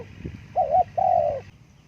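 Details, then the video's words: Spotted dove gives two soft, low, mellow coos, the first short and the second longer and slightly wavering, after a quiet faint opening. "Terkukur Suara bagus panggil burung hutan"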